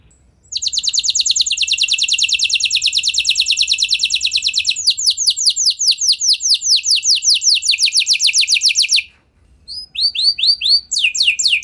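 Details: Lure song from an F1 canary to get other canaries singing: a long dense buzzy trill, then slower descending notes, a brief pause, and scattered high chirps.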